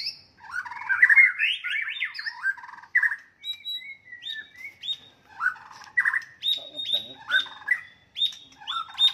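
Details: Fighting song of a white-rumped shama, used to rile an opponent: tumbling warbled phrases give way to clear whistled notes and a series of sharp high chips repeated about every half second, loud and varied.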